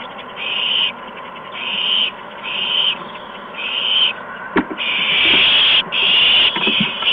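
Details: Owlets at an evening feeding, 13 March 2015, adults bringing mice and a gopher; rasping screech-hisses repeated about once a second, growing longer and more continuous toward the end, with a sharp knock midway.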